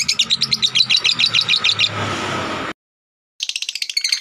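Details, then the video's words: Blue cobalt lovebird giving fast, high, shrill chattering chirps repeated several times a second, a noisy buzzy stretch, a brief silence, then the rapid chirping resumes. "burung Lovebird blue cobalt special 2021"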